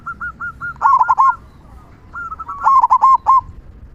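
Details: Zebra dove, a local bird in good voice, with a loud "kung" song used to stir other doves to sing. Twice, a run of short clipped notes builds into a loud rolling burst of bubbling coos.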